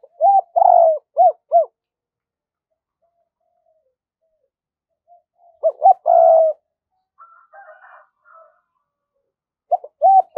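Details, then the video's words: Decoy spotted dove in 'giọng thổ' voice urging and cooing to call wild doves: a rapid burst of short arched notes, a later coo phrase, faint higher chatter, then more short notes. "Chim Cu Mồi Thúc + Gáy Gọi Bổi Nhanh Về Cội"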